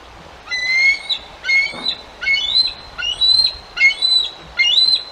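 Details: Resident male bald eagle at the Decorah nest, 7 July 2022, warning a perched juvenile intruder away from his fish; seven high, thin, piping phrases in about five seconds, each a short run of rising whistled notes.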